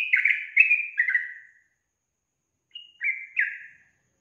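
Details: Female yellow-vented bulbul giving a call meant to make males reply: a burst of rich, gurgling whistles, a pause of over a second, then three more slurred notes dropping in pitch.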